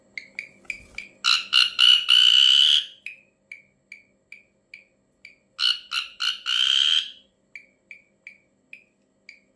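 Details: Ashy drongo with an odd call: steady short chip notes, two clusters of loud rasping, buzzy notes each ending in a long harsh drawl, then more evenly spaced chips.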